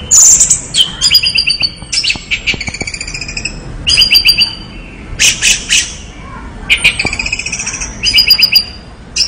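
An orange-headed thrush sings a rich, fast run of varied phrases: high whistles, chattering trills and sharp buzzy notes in quick succession, with barely a pause.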